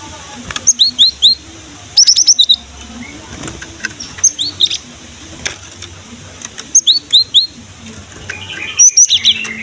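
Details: Cinereous tit singing energetically, a lure recording meant to coax young or silent birds into song: bursts of rapid, ringing high whistles in runs of three to five, repeated roughly every two seconds with faint clicks between.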